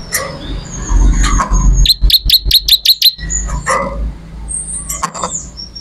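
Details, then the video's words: Bar-winged prinia in lively song, kept as a tutor recording: a brief burst of six quick, sharp high chips in the middle, surrounded by scattered thin whistles and a steady low hum. "MASTERAN BURUNG MATERI CIBLEK ORIGINAL GACOR"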